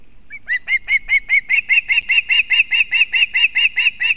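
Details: Female osprey bringing fish to her chick at a nest in Kurzeme, Latvia, on a live nest camera, 31 August 2024: a steady run of about sixteen sharp, whistled chirps, roughly four per second, each slightly rising, with faint low rumble underneath.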